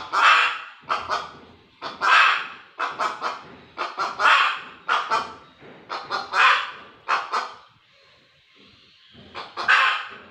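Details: Loud hen calling in a rhythmic cycle: drawn-out raspy squawks alternating with clusters of short, clipped clucks, pausing briefly before a final squawk near the end.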